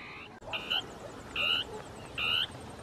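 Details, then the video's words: Dusky tapaculo in shrubs, two birds interacting, singing its territorial song: loud harsh churring notes, three spaced evenly about 0.8 seconds apart, with a faint high chirping and low background hiss. "CHURRIN DEL NORTE (Scytalopus fuscus) CANTANDO"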